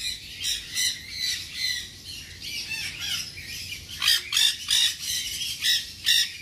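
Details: Baby tame nanday conure, ringed, at a pet bird shop, uttering a rapid series of harsh grating squawks, roughly two or three per second, louder toward the end.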